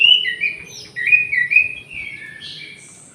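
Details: Caged orange-headed thrush, kept in an aviary with a jali bird, pouring out a quick, fluid string of clear whistled notes that rise and fall, loudest in the first half, fading toward the end.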